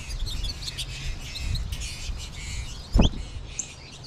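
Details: American goldfinches calling as a flock in March; continuous high twittering chirps, with a sharp loud knock near the three-second mark and low rumble beneath.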